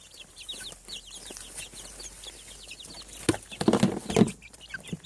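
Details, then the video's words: Farm chicks hatching from eggs, seven weeks: a steady chorus of high rapid peeps from many young birds, with some low thumping and knocking noises near the end. "Chick sounds. Hatching From Egg 7 weeks"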